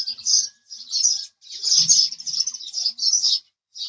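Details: House sparrow chirping: bursts of high, buzzy chirps in quick runs, broken by short silences, about six bursts across a few seconds.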